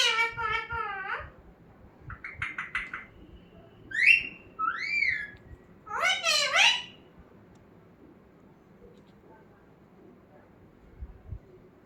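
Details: Pet talking parrot in a small room gives a wavering harmonic phrase, a burst of short clipped notes, two rising whistled slurs and a dense squawky phrase, then quiet.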